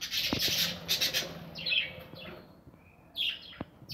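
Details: Aviary budgerigars at their nests: a loud burst of mixed chattering and squawky notes opens, followed by quieter falling chirps and a short final flurry, with low hum and occasional clicks.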